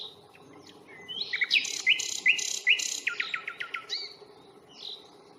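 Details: Common nightingale singing on a reserve at Fingringhoe on 1 May, recorded on a Panasonic Lumix FZ82 during a two-hour walk: a varied phrase of rich chirps, a run of four loud sliding notes, then a rapid rattling series and a short whistle, with steady low background hum.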